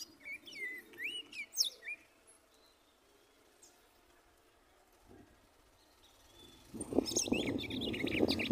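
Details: A female red-cowled cardinal, 1 year 2 months old, sings while turning in her nest and pulling straw: a few quick, clear whistled phrases, rising and falling, then quiet before loud rustling and more chirps.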